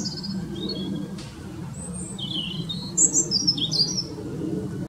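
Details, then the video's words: European robin, very vocal, perched in one tree in a local park, singing high thin warbled phrases of varied short notes, a slower opening then a rapid tumbling burst near the end, over low steady background rumble. "The wonderful little voice of a Robin"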